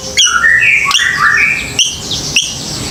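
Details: Singing white-rumped shama, played as a lure for young birds to answer: rich, varied slurred whistles at different pitches, broken by sharp clicks, with softer phrases behind.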